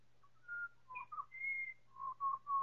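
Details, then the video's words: Four pied butcherbirds singing together in chorus: pure, fluted whistles held and slurred, some rising, in a slow phrase, time-stretched several times over a steady low hum. "4 Pied Butcherbirds singing in choir"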